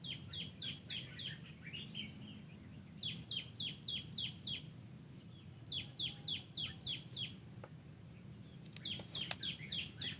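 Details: Garden recording of a wild terucuk (yellow-vented bulbul): several bursts of five to seven crisp falling whistles, separated by brief pauses, with a few clicks and soft rumble in the background.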